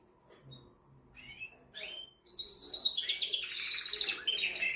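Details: Canary male song meant to stimulate a female for mating: a few faint scattered chirps and a short rising slur, then a loud, continuous rolling high trill with rapid warbled notes for the final two and a half seconds.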